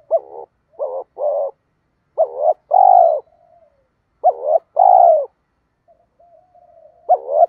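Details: Male and female spotted doves coo to goad lazy caged birds into calling. Low, mellow coos come in paired phrases: a short hooked note, then a longer steady one, repeated three times with soft trailing murmurs between.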